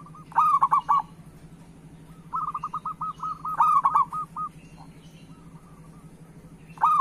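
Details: Zebra dove, a local bird, singing as a lure for other doves: loud rolling coo bursts roughly every three seconds, each trailed by softer repeated coo notes, over a low steady hum.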